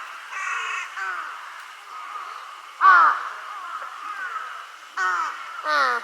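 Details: Group of mostly young crows, calling weakly as if for their parents: harsh, nasal caws with stacked harmonics, several overlapping callers, bursts near the start, at three seconds and near the end, with quieter calls between.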